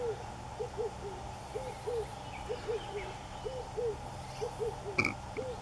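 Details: Red-eyed dove (Streptopelia semitorquata) at Underberg, South Africa, 2015, cooing in a steady rhythm: deep, hoarse coos in short groups with brief pauses, a sharp knock near the end, faint chirps behind.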